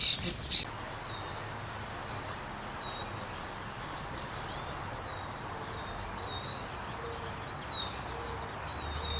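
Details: Bird chirping in a steady run of very high, thin, clipped notes, delivered in quick bursts of two to five with short gaps, over a low background hiss.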